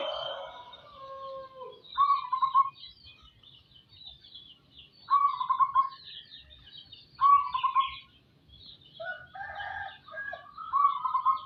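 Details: Local-strain zebra dove singing actively: short rolling coo phrases repeated four times, about every two to three seconds. Other small birds chirp and twitter in the background.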